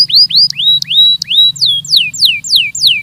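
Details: Belgian canary training song made of rising whistled notes with sharp clicks, then a series of loud, slower downslurred whistles repeated roughly three times a second.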